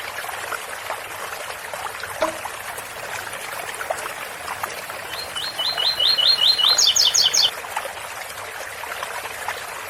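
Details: A double-collared seedeater sings one ouro fino phrase, 8x4 or 7x4 style, over continuous fountain water. It is a quick string of upslurred whistles and then four higher paired notes, with a click near the start.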